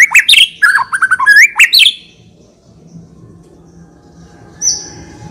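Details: White-rumped shama, called murai batu, in rich-fill lure song: a two-second burst of fast, looping whistles and chips, then quiet with one thin high note near the end.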